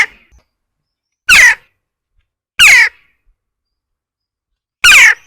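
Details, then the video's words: Western jackdaw giving three short, sharp, metallic and slightly husky 'tchak' calls, spaced unevenly over five seconds against dead silence. "Western jackdaw/Dohlenvogel/ Kawka zwyczajna SOUND EFFECTS"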